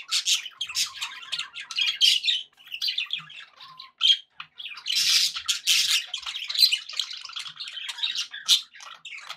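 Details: Contented pet budgerigars keeping up a long, lively chatter of scratchy warbles, clicks and short squawks, with a few brief lulls and a thick burst of noisy calling midway.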